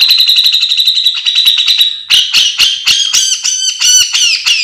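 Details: Bearded bulbul, locally cucak jenggot, in vigorous full song meant as a training model: a steady pulsed trill for two seconds breaking into loud, harsh, chattering phrases with downslurred notes.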